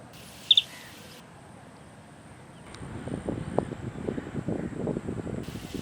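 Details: Lesser sand plover on the Kadamakkudy Islands giving one quick, hard double note near the start, high and clipped, followed by rustling wind and low background noise.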